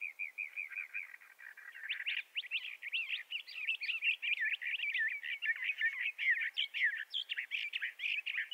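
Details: Bendire's thrasher of western North America singing: soft repeated chirps build into a long, vigorous torrent of rapid, buzzy and warbled notes carried on for several seconds.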